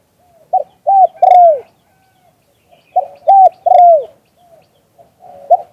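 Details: Spotted dove cooing in the 'liu tan' style, recorded live: rapid runs of three or four short coos, the last drawn out and falling, with two phrases and a soft start of another.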